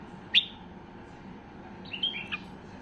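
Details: Basra bulbul, or white-eared bulbul, singing at peak excitement to prompt other bulbuls into song: one sharp high note, then a brief run of slurred whistled notes near the end.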